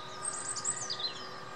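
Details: Goldfinch calling: a brief burst of high, thin twittering notes sliding down in pitch over about a second, over a steady low hum and faint background noise.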